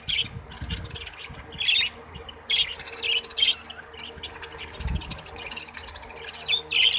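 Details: Budgerigars, kept Australian parrots, chattering in dense overlapping bursts of scratchy, buzzy chirps and warbles, high-pitched and uneven, with brief quieter gaps and some low thumps beneath.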